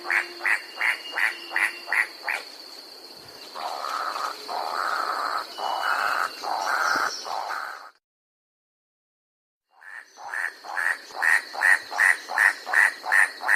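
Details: White-striped Forest Rail, a rail of mid-mountain forest on New Guinea's Bird's Head, giving its incessant clacking: dry clacks repeated about three times a second in steady runs, a stretch of longer rasping notes midway, a short silence, then clacking resumes.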